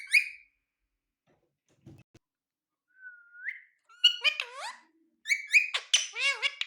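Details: Pet ringneck parrot talking indoors: a whistled rising note, then bursts of harmonic-rich speech-like syllables with swooping pitch, several short phrases separated by brief pauses.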